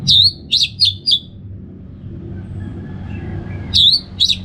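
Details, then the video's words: Ngeplong-style song of an Orange-headed thrush: crisp, high, downslurred notes in quick clusters of three or four, a pause, then the same notes again, over a faint low drone. "$uara ANIS MERAH Ngeplong"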